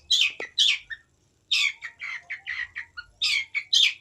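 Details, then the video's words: Long-tailed shrike giving harsh, scratchy chirps and squawky notes in uneven runs, with a brief silent gap before a renewed burst of loud, rasping phrases. "Burung pentet unik.."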